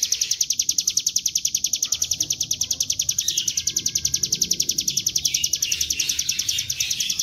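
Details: Bar-winged prinia (ciblek gunung) ngebren song meant to draw the bird into singing: a quick, unbroken chain of shrill, high notes repeated many times per second, with faint softer chirps in the background.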